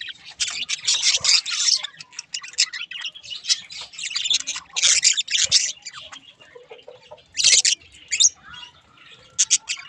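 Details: Budgies, including a rare halfsider parakeet mutation, sing with scratchy warbling bursts, rapid clicks and chattering trills, separated by short pauses.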